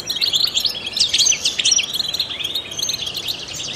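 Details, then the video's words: Dense, lively song of a trained European goldfinch, used to stimulate other songbirds: quick high chirps and tinkling trills crowded together without pause. "in the wild goldfinches chirp to stimulate songbirds"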